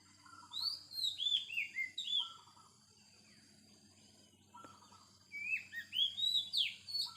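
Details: A wild Oriental magpie-robin sings two bursts of rapid, varied whistled notes with short low chattering bits between them, separated by a pause of about two seconds. A steady high droning hiss continues throughout.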